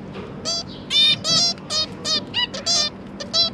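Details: A zebra finch pair feeds its three juveniles, recorded 1 October 2022. Loud, nasal, trumpet-like beeps come in short bursts several times a second, each rich and reedy, with quiet gaps between them.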